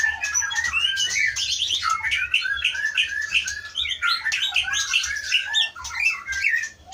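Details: Caged White-rumped shama from the Pining forest of Aceh's Leuser mountains, wild-caught in 2012 and held for breeding since 2017, pouring out a dense, continuous song of quick chirps, whistled slurs and trills.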